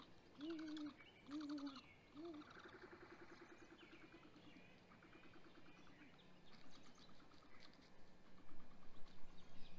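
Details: Great grey owl pair at the nest, filmed by a live nest camera at 7:26 am on 27 April 2020 during hatch week as the male delivers prey to the female. Three wavering, mid-pitched harmonic calls come in quick succession, then softer calls, with small birds chirping behind.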